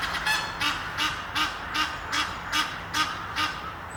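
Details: One of a pair of Egyptian geese perched up a tree near Henley upon Thames gives a run of harsh, husky honks, about two and a half per second, each a broad rasping burst over a faint steady hum.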